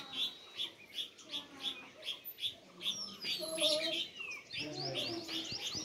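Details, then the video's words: Sparrow chirping in the open: sharp high chirps repeated at a fairly regular pace, roughly every half second, with other birds whistling and trilling in the background toward the end. "Sparrow (Birds) Chirping Sound"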